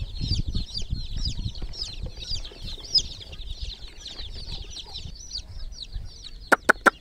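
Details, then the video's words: Chicks in a water pool give a busy chorus of high falling peeps over soft low thuds, ending with three sharp loud clicks. "Groggy Murgi chicks Chirping sounds in water pool"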